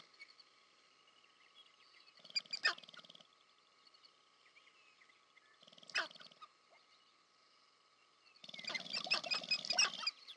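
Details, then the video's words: Courtship display of sharp-tailed grouse, American Prairie Reserve, Montana, USA: three brief rattling bursts with sharp clucks spaced a few seconds apart, the last longer and busier, over a faint high-pitched background. "Sharp-tailed Grouse Courtship Display"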